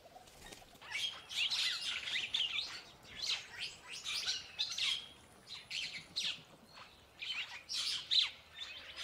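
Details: Purple starling, also called purple glossy starling: bursts of high, squeaky, harsh chirps chattered in dense clusters, with short pauses between runs, continuing through about nine seconds.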